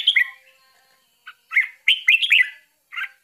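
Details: Bulbul feeding her chicks; an opening chirp, a quiet pause, then a rising cluster of four or five squeaky, slurred notes and a last softer chirp.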